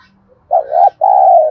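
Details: One 'thúc gù' phrase from a spotted dove, a cooing style used to excite wild birds and train decoy doves: a soft, slightly wavering doubled note, a brief gap, then a smooth, sustained low coo.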